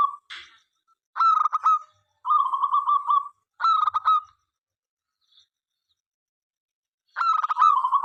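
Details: Zebra dove of local stock, an eager singer, sings to draw other doves into singing. Short choppy cooing phrases come in quick succession, then a long silence and one more phrase.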